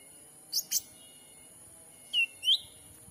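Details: Lure call of a black-capped bulbul for catching wild birds, Sumatra forest: two very high thin blips, then a pair of clear whistled chirps, the second rising.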